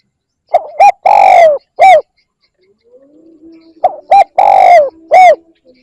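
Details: Spotted dove lure calling: two complete phrases of short notes, a long grainy coo and a falling end note, separated by a gap with a faint low hum in the background.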